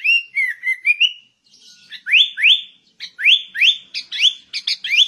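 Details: Sooty-headed bulbul singing persistently in the ngegaruda style: a slurred whistled phrase, a short pause, then a run of sharp rising whistled notes, each sweeping upward, delivered in quick clear succession.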